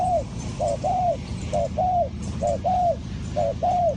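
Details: Spotted dove call used to lure wild doves for trapping, Ninh Thuận: repeated short-then-long arched coos roughly every second, set against steady hiss and a low rumbling background.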